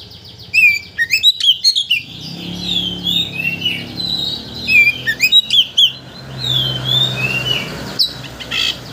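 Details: A White-rumped shama, heard as a provoking song to push another shama into full song, opens with a quick volley of sharp notes, then continues in rolling whistled phrases and buzzy slurs.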